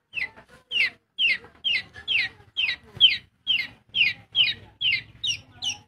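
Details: Long-tailed shrike from Bojonegoro repeating a harsh, downward-slurred note about twice a second in a steady even series, with soft low hum behind.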